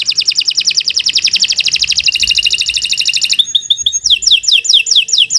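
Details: Canary song for training other birds: long rapid rolling trill of high pulsed notes, then clipped chips and a run of repeated slurred whistled notes.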